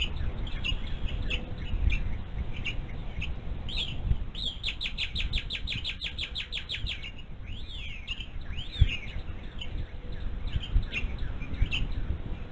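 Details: Adult female bald eagle vocalizing at the nest on her chick's one-month birthday, caught by a live eagle camera. A quick run of a dozen high, squeaky, falling notes, with forest birds whistling slurred calls before and after.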